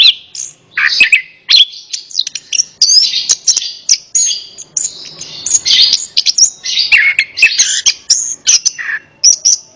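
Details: Continuous orange-headed thrush song played to make a silent bird sing along: long rich medley of whistles, warbles and chattering notes, fast and varied, barely pausing throughout.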